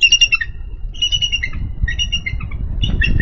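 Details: Bald eagle on its Minnesota nest, 3 May 2013, female calling for her mate to relieve her; squealing, chittering high notes in uneven bursts, fairly clean background with light low rumble.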